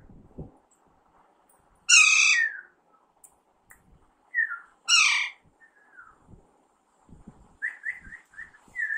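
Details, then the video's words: A pet Alexandrine parakeet, possibly young, gives loud, harsh, rasping screeches in two bursts about three seconds apart, then softer chattering notes, with faint background thumps, while its owner tries to teach it to talk. "Alexander parrot natural sound"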